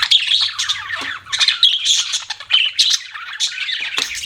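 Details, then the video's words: Pet budgerigars chirping: dense bursts of scratchy, squawky chatter and short whistled notes, broken by brief pauses, with a faint low hum underneath. "BUDGIES CHIRPING SOUND"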